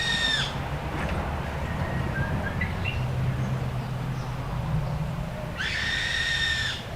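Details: In Hawaii, a young Hawaiian hawk ('Io), as suspected (another listener guessed a baby myna begging for food), gives two harsh, raspy screams about five seconds apart over a steady low hum and faint background sounds.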